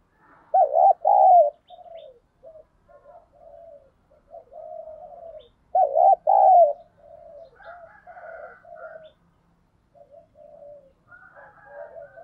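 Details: Spotted dove acting as a decoy to incite wild birds. Two loud double coos about five seconds apart stand out above continuous soft murmuring coos, with faint higher twittering notes in the background.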